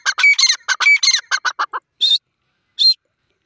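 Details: Grey francolin (teetar) in a rapid burst of harsh, high, squawky notes that fall slightly and slow near the end, then two separate ringing single notes after a pause.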